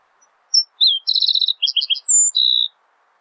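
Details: Green-tailed Towhee song recorded on its breeding territory: a sharp high whistle, a slurred note, then a rapid buzzy trill and paired chirps, ending in a thin high whistle and a dry trill.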